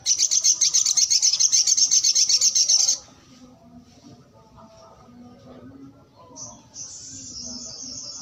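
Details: Brown-throated sunbird singing energetically: a rapid, even, high-pitched pulsed trill for three seconds, then quiet before a thin, slightly descending high whistled phrase near the end.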